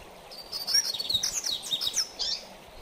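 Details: Mateiro-style song of a double-collared seedeater, a style said to fire up other males: one continuous, rapid, warbling phrase of high sliding whistles and chips lasting about two seconds, against faint steady hiss.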